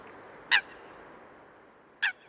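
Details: Wild Eurasian coot giving two abrupt, loud, harsh calls about one and a half seconds apart, each a brief metallic burst, with faint hiss between them.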